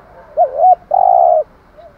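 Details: Cooing of a spotted dove used for luring birds, a quick rising note and a soft arched coo followed by a long, flat, faintly rough coo ending abruptly, against a quiet background.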